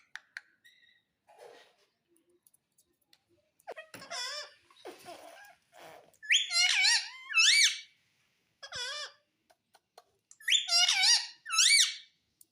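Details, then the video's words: Talking Indian ringneck parakeet indoors, which says mummy and papa: soft mumbled sounds give way to loud paired speech-like phrases with bending, whistled tones, repeated twice with short gaps. "Talking Parrot Mummy Papa"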